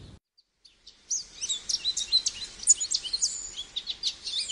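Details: After a second of near silence, an American goldfinch launches into a rapid, high twittering song of varied slurred notes and quick chips that continues without pause.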